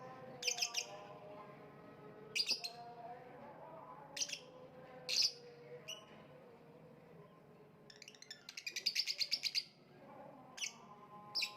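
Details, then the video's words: Lovebird calling with spaced bursts of shrill, harsh chirps every couple of seconds, then a quick chattering run of rapid notes, ending with further single piercing calls over a low background drone. "voice of lovebird / Lovebird kicau"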